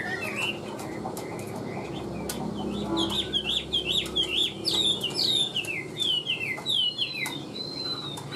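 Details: Chinese hwamei in a cage sings a fast, jumbled run of high whistled slurs and chirps. Pitch shifts quickly, and a longer even whistle closes the phrase.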